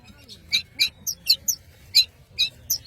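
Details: Long-tailed shrike of the Madura type singing: a quick series of short, sharp, high chirps spaced roughly every quarter second, over a faint low hum.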